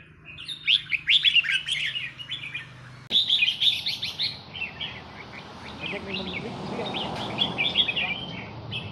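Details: Red-whiskered bulbul of Burmese origin singing counted-phrase song; quick chirpy warbled phrases over steady background noise and rumble.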